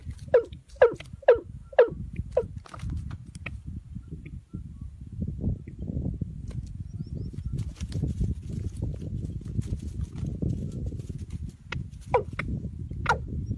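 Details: Watercock lured with a female decoy: a quick run of five falling notes, then a long stretch of rustling and rumbling noise, and two more descending notes near the end.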